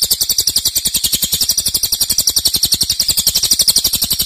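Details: Cililin in loud, dense, sustained song: a shrill, rapid stream of buzzy trilled notes, steady and continuous throughout, with quick regular pulsing.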